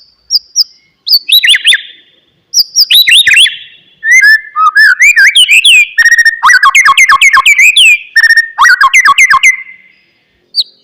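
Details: Oriental magpie-robin (murai batu) singing, used to stimulate a quiet bird to start singing again: loud varied phrases of sharp descending whistles, rapid chattering runs and mimicry-like notes, delivered in dense bursts with brief gaps.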